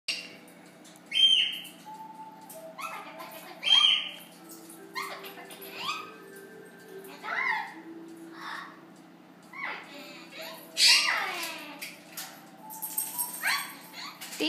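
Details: Amazon parrot, a pet female, vocalising a lot indoors in the morning: varied squawks, whistles and chattering notes, some downslurred, scattered irregularly, with a steady low hum beneath.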